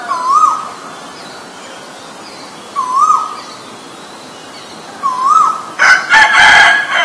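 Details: Asian koel, male and female: three rising, upslurred whistled notes repeated every two and a half seconds, followed by a loud rooster crowing at the end.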